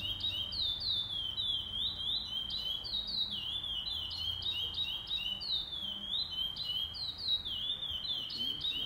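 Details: Chestnut-bellied seed finch of the pardo class at the 08/11/2020 tournament's first stage; long unbroken song of high, clear whistled slurs, rising and falling in rapid succession for nearly nine seconds, faint low background murmur.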